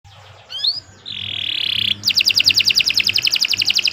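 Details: Canary singing a long, lively training song: a few upward chirps, then a sustained buzzy trill, followed by a fast run of bright repeated notes at about three per second.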